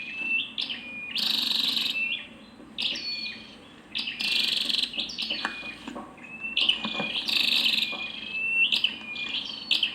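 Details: Female scarlet-backed flowerpecker: high, thin level whistles broken by loud buzzy bursts and quick clipped notes, coming in three main bouts across the stretch.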